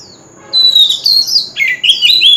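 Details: Forest-voice lure song of an Oriental magpie-robin, as used in song contests: after brief quiet, bright whistled warbling phrases burst in, followed by quick rising and falling chirps and a sweet liquid trill near the end.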